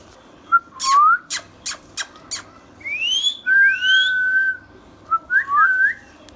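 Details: Talking pet ringneck parrot whistling: a rising whistle, several sharp taps, then upward-swooping whistles, a long steady whistled tone, and a few short twisting whistles at the end.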